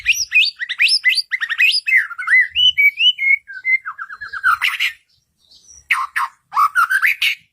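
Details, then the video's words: White-rumped shama (murai batu) singing vigorously, used as a lure to make other birds answer: rapid run of rising and falling whistled notes, then a short pause before bright chattering bursts and upswept whistles resume. "Suara Burung Murai Batu, Pancingan Burung Murai Batu Gacor, Ampuh Rangsangan Cepat Nyaut"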